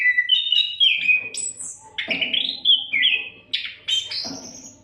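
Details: Kacer, the Oriental magpie-robin, singing without break as a master recording for songbirds; loud clear whistles, long drawn rising and level notes alternating with short high slurs, over a soft low hum.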